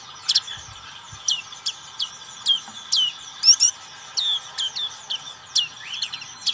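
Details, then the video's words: Ngriwik song from a black-capped white-eye: a quickening series of sharp, high chirps sliding downward, some doubled or buzzy, about two per second near the end. "Pleci black capped ngriwik"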